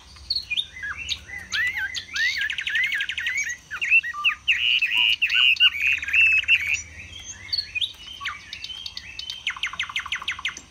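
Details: Loud song from a caged Chinese hwamei performing its spreading display, sung in the high 'cao cầu' manner: scattered whistled slurs, a sustained buzzy warbling stretch, then sparse notes ending in a quick repeated trill.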